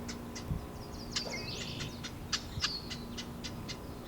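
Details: A Marsh Wren at a cattail pond in Taquanyah Conservation Area near Cayuga, Ontario, in 2024 scolds beside its nest after it was found. Dry, sharp ticks about three a second, with brief higher chattering and whistles over a low hum.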